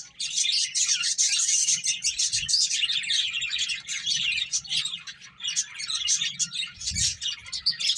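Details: A busy group of finches, eating and playing, fills the air with constant high-pitched chirping and twitters, many short notes overlapping, with soft low thumps now and then.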